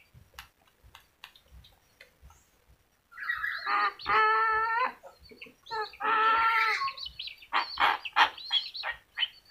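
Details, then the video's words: Yellow-crested cockatoo imitating human speech after a few quiet seconds with faint clicks: two loud, drawn-out voiced phrases with clear harmonics, followed by harsher bursts. "kakatua jambul kuning bisa bicara"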